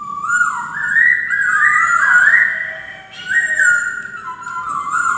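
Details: White-crested laughingthrush song: an unbroken string of pure, fluting whistles that climb in steps, waver, and then slide back down to lower notes.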